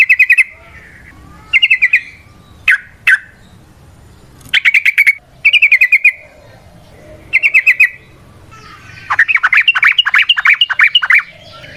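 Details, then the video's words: Trucukan, or yellow-vented bulbul, singing a long rolling ngalas song used to lure and train others: bright trilled chirp phrases in short bursts, ending in a longer rapid rolling series of bubbly notes. "Trucukan GACOR ngalas ROPEL PANJANG suara alam AMPUH buat pancingan"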